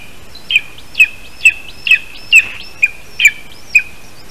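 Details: At a spruce-tree nest in Latvia on the morning of 3 August 2019, a Lesser spotted eagle male delivers a little bird. Loud, sharp high yelps, each dropping at the end, come in an even series roughly every half second.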